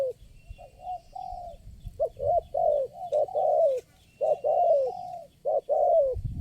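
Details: A lone spotted dove answering a lure bird at a trapping site: a series of soft, hollow coos, some short and clipped, others drawn out and falling, over a low background rumble.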